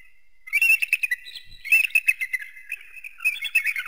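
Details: Eagle calling with a run of high, thin, chittering notes in quick bursts, pausing briefly and then resuming, sharp and squeaky in tone; no other sounds stand out.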